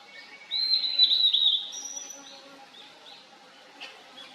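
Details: A wild Blue-and-white Flycatcher singing in a valley in 2023: a rich warbled whistled phrase with quick slurs, a higher thin note, then scattered quiet chips.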